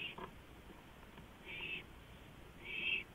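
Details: Porch owl at night on 5 April 2015 giving two drawn-out, raspy, breathy hisses, the second louder, after a brief faint click.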